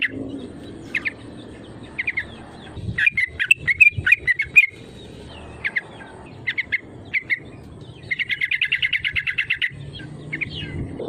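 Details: Sooty-headed bulbul lure call meant to push rivals to answer: scattered short chirpy notes, a dense jumble near three seconds, then a fast even rattle-like series of about fifteen notes near the end, low hum beneath.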